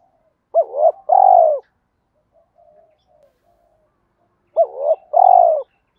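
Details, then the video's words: Spotted dove cooing to spur other doves into cooing: two matching loud phrases four seconds apart, each two short hooked coos followed by a long burry falling coo, with soft murmuring between. "tiếng cu gáy kích bổi hiệu quả mỗi ngày, cu gay kich boi nhanh noi gù"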